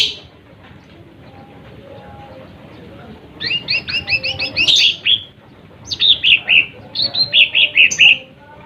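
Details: Lesser green leafbird song for goading rival birds into a display: quick chattering runs of high, slurred two-tone notes in three phrases after a quiet start, with a soft background hum.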